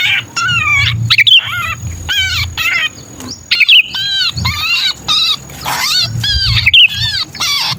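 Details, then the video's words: Sooty-headed bulbul in distress, a pinched-bird call used for luring bulbuls: continuous harsh, buzzy scolding notes in rapid series, punctuated by shrill squeals, with faint low rumbling underneath. "Suara pikat burung kutilang kejepit"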